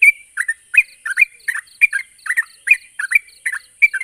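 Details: Song of a yellow-vented bulbul for making non-singing birds reply: rapid, evenly paced bubbling double notes repeated about three times a second, lively and chattering, over a thin constant high-pitched tone.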